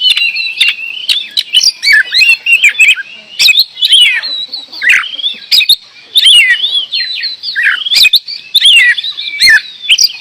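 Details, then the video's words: Kacer (oriental magpie-robin) in full voice: bright whistles, downward slurs and sharp ticks in quick phrases separated by short pauses. "Kacer gacor"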